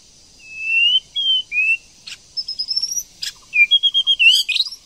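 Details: White-rumped shama, a female prompting a male to sing: clear drawn-out whistles that rise slightly, a few sharp clicks, then a fast string of short repeated whistled notes ending in a brief chatter.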